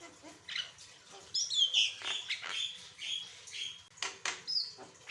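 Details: Varied song from an Asian pied starling, meant to coax other birds into song: harsh chattering notes interleaved with thin high whistles, coming in uneven clusters.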